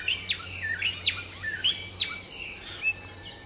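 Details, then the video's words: Common hill myna (Gracula religiosa) singing at dawn while preening in a morning chorus: short sharp chirps and quick downslurred whistled notes, about a dozen in three seconds, with irregular spacing over a faint steady insect hum. "Hill Myna Serenade: Preening, Singing, and Morning Symphony"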